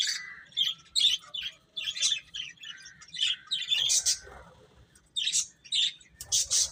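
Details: Baby chickens make quick high peeps in irregular bursts, some with a falling slur, and a brief scratchy rustle near four seconds.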